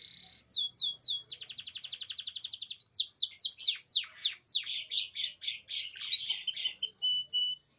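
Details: Canary song for stimulating silent birds: a few looping notes, a long fast rattling trill, then loud descending sweeps and curled whistled notes in quick succession.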